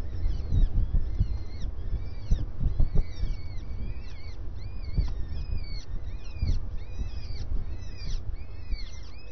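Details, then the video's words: Dense series of quick, arched starling calls at breakfast, closely spaced and repeated throughout, with louder low thumps and rumble beneath. "Estornino en el desayuno"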